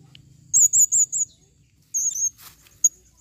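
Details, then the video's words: Female Blue-crowned hanging parrot calling, 2021: a run of four shrill, quavering high squeaks, a pause, then a second burst of squeaky notes followed by two isolated sharp chips. "serindit betina memanggil"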